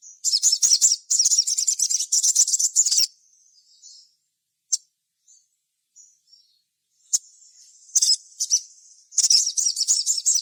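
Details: Sogon singing gacor to lure other sogon into song. A long, dense, high-pitched twittering stream lasts three seconds, followed by quiet scattered notes, then renewed rapid chatter.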